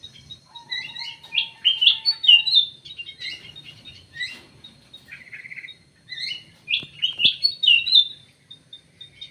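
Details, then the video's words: Munia, known locally as emprit sawah, producing bursts of high twittering, slurred squeaky chirps in two clusters separated by a quieter stretch of soft chirps, with a low steady hum behind. "burung emprit sawah, emprit kji"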